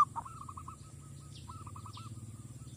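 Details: Zebra dove used in luring wild doves, heard at a distance as two faint runs of short hooked coos separated by a pause, with a persistent low droning noise throughout.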